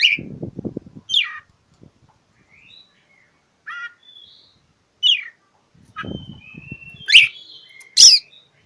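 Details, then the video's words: Oriental magpie-robin singing as if seeking a rival: varied sweet whistled notes, drawn-out level whistles and harsh downslurred chips spaced irregularly, with low knocking and rustling noises at the start and near the end. "Kicau KACER cari LAWAN"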